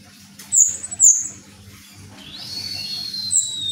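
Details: A contest orange-headed thrush sings thin, very high whistled notes that slide downward, then a longer warbling phrase with a steady low hum underneath.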